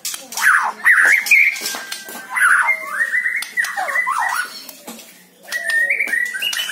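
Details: Varied white-rumped shama song meant to get captive birds singing: loud looping and dipping whistles, warbled phrases and sharp crackling notes in an energetic stream, ending with higher clear whistles.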